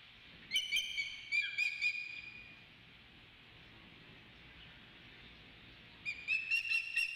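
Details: Osprey at the Dunrovin Ranch nest on 28 May, giving series of clear high whistled chirps around a steady tone, a burst early then quiet, then another run of chirps near the end, with a faint hum beneath.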